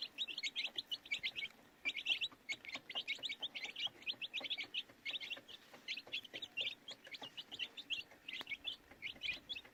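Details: Close, continuous peeping of many baby chicks, short shrill chirps crowded into steady flurries across the whole stretch.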